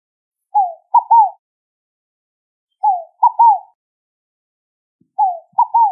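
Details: Ruddy ground dove singing: a soft cooing phrase of one falling note followed by two quick low coos, repeated about every two and a half seconds against a silent background.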